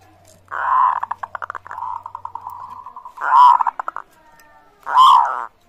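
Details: Local zebra dove in full song, meant to get other birds calling back: rapid pulsed rolling trills slow down, then two loud drawn-out coos separated by another stuttering run of notes.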